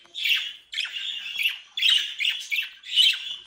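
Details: A flock of captive-bred budgerigars from South Holland, Netherlands, gives loud raspy squawks in repeated bursts, roughly one per second, each a grating warble held briefly before the next.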